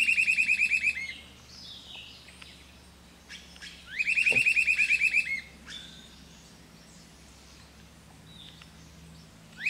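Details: Grey-hooded Attila at Projeto Dacnis, Ubatuba, São Paulo, Brazil, 16 September 2016, giving two loud bursts of rapid, clipped whistled notes, about a dozen each, four seconds apart, with faint chirps from other birds between.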